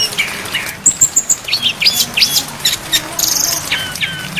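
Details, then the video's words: Song of a brown-chested jungle flycatcher, packed with imitated phrases, for songbird training with rain behind. Sharp high chips and a quick series of thin piping notes, then brief downward slurs and buzzy bursts over soft rain. "MASTERAN SRDC FULL ISIAN DAN AIR HUJAN DURASI PANJANG"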